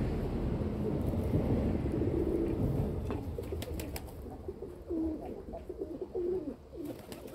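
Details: Kept domestic pigeons cooing: after a stretch of low rumbling background, a few short rising-falling coos stand out late in the clip, with steady low-frequency noise throughout.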